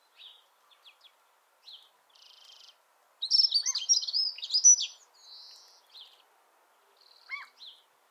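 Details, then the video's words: A dunnock sings one quick, high, squeaky warbling phrase of about two seconds, with fainter high chirps and thin notes before and after it. "Vogelgesang Heckenbraunelle"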